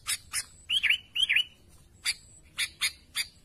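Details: Sooty-headed bulbul calling to its companions: sharp, clicking chips at irregular intervals, with two bubbly, warbled notes in the middle.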